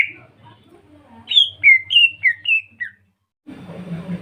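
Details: Greater green leafbird lure song: a smooth sequence of about six whistled notes alternating higher and lower pitches, a brief silence, then a low, muffled background rumble.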